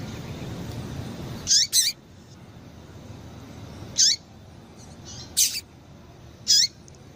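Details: Female rusty-collared seedeater calling to stimulate males: short, high, sharp chip notes, each falling into a quick downward slur, given singly or in close pairs at irregular intervals of one to two seconds over a low background hiss.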